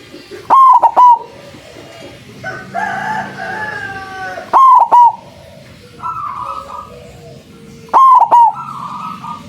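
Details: Lure recording of a loud white zebra dove for trapping other doves: three stuttering three-note coo phrases roughly every 3.5 seconds. Other softer bird calls sound between them.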